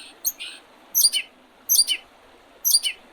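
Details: Birds calling in early spring beside the Oredezh River, Leningrad Oblast, Russia, 8 April 2023: high doubled chirps with a dropping second note, repeated roughly every 0.8 seconds, plus a brief squeaky note at the start.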